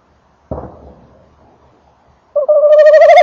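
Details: Male tawny owl arriving at its nest box, 28 December 2013 at 19:48, recorded near the box: a dull thump of landing, a short pause, then a fast quavering trill begins and carries on to the end.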